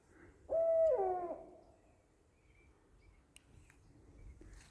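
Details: Owl, one of two calling to each other in daytime from high in the trees, possibly out hunting; a single loud harmonic call lasting under a second, wavering and then sliding downward, followed by quiet.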